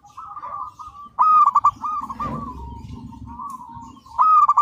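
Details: Local zebra dove in full song for training recordings: two loud rolling, stuttered coo phrases open and close the passage, with softer continuous cooing and a low rumbling murmur between them.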